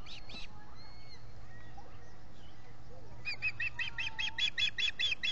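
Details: Ospreys, three at a nest at Salt Point in the Finger Lakes, US, on 19 July 2021, caught by a solar-powered nest camera: two brief notes, then from mid-clip a rapid run of about ten sharp, high chirping whistles.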